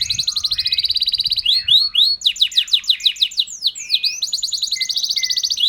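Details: Champion white canary sings a melodic, ornamented song: a long rapid rattling trill, then a series of looping swept whistles, and finally another sustained fast trill. The singing is loud and continuous, with a faint low rumble at the start.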